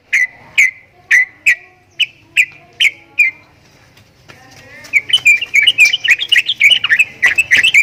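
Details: Javan myna, known as jalak kebo, giving strange sounds: spaced sharp whistled notes, a short pause with faint background hum, then a faster burst of tangled chattering whistles.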